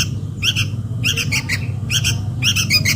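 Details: Begging sooty-headed bulbul chick calling its mother, lure recording: scattered pairs of rough squawks over a strong low rumbling hum.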